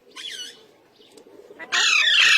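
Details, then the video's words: Indian ringneck parakeets, pet birds that talk in Urdu and Hindi; a short, thin squawk, brief quiet, then a long, loud, grating screech held to the end. "Best Ringneck Talking Parrots | Urdu Hindi Bolne Waly Behtreen Talking Parrot"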